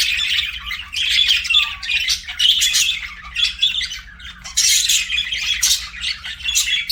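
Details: Budgerigars chattering as pets, a warbling, scratchy stream of squawks and chirps rising and falling in bursts, with brief quieter gaps between louder phrases.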